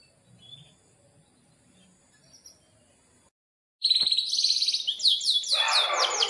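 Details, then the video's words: Singing canary, a lively 'gacor' performer used to encourage other canaries to sing. After near silence, a loud dense song begins: high whistled notes running into a rapid string of repeated sweeps over a rough, noisy background. "Pancingan Kenari GACOR panjang"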